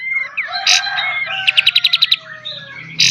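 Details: Kapas tembak master song for cage bird training, beset and tembak style: thin whistles and a harsh burst, then a quick run of about eight sharp clipped notes, over a faint low hum.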